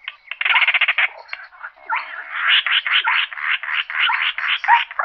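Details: Slaty-breasted rail giving a flock-gathering call: a nearly continuous harsh, rattling chatter of rapid pulsed rasps for five seconds, opening with a fast stuttering burst, then uneven grating notes, with no background noise.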